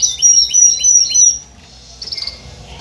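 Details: Canary song of rapid high repeated chirping phrases, bright and metallic, followed by a short quieter trill after a brief pause.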